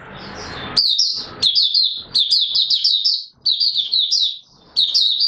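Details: Oriental white-eye, known as Mata Puteh Raja, opening song recorded 24 March 2022; a hissy start gives way to dense runs of thin, high chattering warbles with short breaks.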